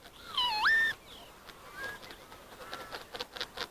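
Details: Northern Lapwing (Vanellus vanellus), courting pair in March display flight over farmland, wild song: a loud, wheezy slurred call dipping then swooping sharply upward, followed by fainter, scratchier notes over a soft background hiss.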